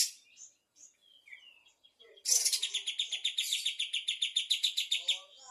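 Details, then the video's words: Afternoon song of a bulbul: a few soft whistles and twitters, then a long loud series of rapid, evenly pulsed trilled notes about four per second. "Burung Kapas tembak gacor di sore hari"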